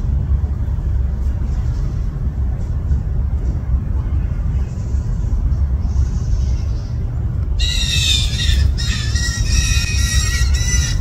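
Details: Hungry fledgling blue jays, at least two, in a yard on 20 June 2024, break into harsh, raspy, overlapping squawks for the last few seconds after a long stretch of low wind rumble.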